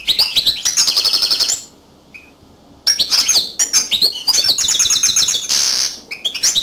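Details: Yellow canary, a small finch, singing loud high-pitched song: rapid buzzy trills and sharp chirps, a silent pause of about a second, then long rolling trill phrases with twittering notes, sung in a quiet setting.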